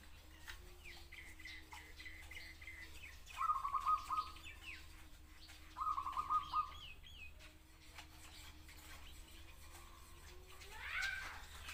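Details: Zebra dove song: two short rolling, trilled cooing phrases a few seconds apart, with faint high chirps of other birds and a steady low hum behind.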